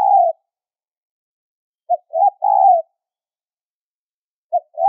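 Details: Spotted dove giving a high-pitched lure call used to attract birds for trapping: short note, quick rising note, then a longer drawn-out coo, with the three-part phrase repeated after clear silent gaps.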